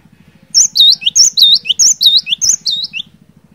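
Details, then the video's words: Cinereous tit, a lively singer used to stir a silent bird into song: a quick series of about seven clear whistled two-note phrases, each high then dropping lower, over a steady low rhythmic engine hum. "Burung Glatik Batu Gacor"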